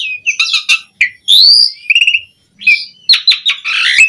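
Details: Vigorous Asian pied starling song meant for training other starlings: harsh chattering notes, a loud upward-sweeping whistle, quick stuttered clicks, then a dense scratchy burst to finish.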